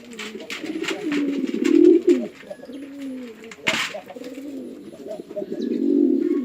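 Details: On a house pigeon farm in a Chittagong village, Bangladesh, male and female pigeons fight: rumbling coo phrases build, fade, then return, broken by a loud flap or knock near the middle.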